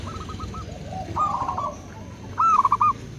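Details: Zebra dove song from local and crossbred birds calling back and forth: a faint rolling phrase, a softer answer, then a loud clear trill-and-coo at the end, with low background rumble throughout.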